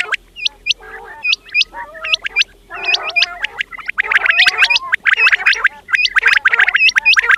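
Several quails call together: sharp, high, hooked notes repeated in quick bursts, mixed with lower gurgling, churring phrases.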